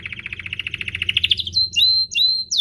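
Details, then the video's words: Canary song used as a lure to provoke other canaries into singing: a fast buzzy trill of repeated notes rising in intensity, then clear whistled slurred notes and downward sweeps. "Pancingan kenari biar gacor"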